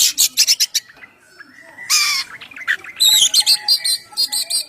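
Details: Oriental magpie-robin singing in a lively, full-voiced style, used as a lure to draw other birds and make them sing: rapid bursts of high chirps, a buzzy rasping phrase, then sweet whistled notes and repeated trills.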